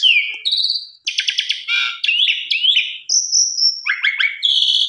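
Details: Asian pied starling lure song: a low whistle, then rattling buzzy bursts, wavering slurred phrases and a long high thin whistle before quick descending chips.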